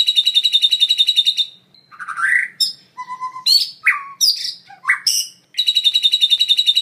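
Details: Full isian song of a white-rumped shama, built from imitated calls of other birds and insects. A fast pulsing rattle gives way to a jumble of whistles, chips and slurred notes, and the rattling trill returns at the end.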